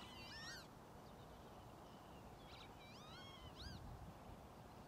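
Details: Northern lapwing at Ljubljansko Barje, Ljubljana, on 13 April 2024, giving several wheezy, slurred calls that swoop up then down, in short bursts over about four seconds, with steady wind rumble underneath.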